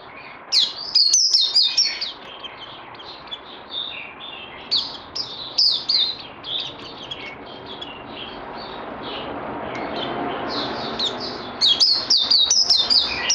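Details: Bird in song training, 18 May 2020: bursts of high, rapid chattering whistles, a quieter middle stretch of faint scattered notes over background hiss, then another energetic burst of sharp phrases.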